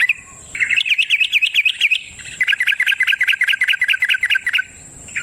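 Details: Yellow-vented bulbul, known as trucukan, in fast lure song: two bursts of rapid, evenly spaced bubbling whistled notes, around nine per second, separated by a brief pause, over a steady high whine.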